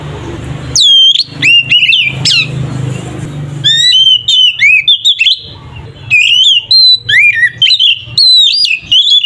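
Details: Ngeplong fighting song of the oriental magpie-robin, meant to rouse rival kacer: rapid strings of loud whistled notes with sharp upsweeps and wavering slides, a low engine-like hum underneath early on.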